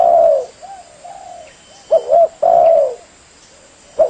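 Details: Spotted dove cooing in a long recording made for trapping, with mellow low coos, some drawn out and some quick doubled notes, in a short phrase that restarts, over a faint steady hiss.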